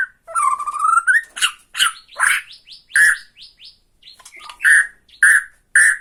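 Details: Borneo white-rumped shama giving tretekan song meant to provoke a rival: a slowly rising whistle opens into loud, spaced, clipped notes with softer high twitters between, about two strong notes per second near the end.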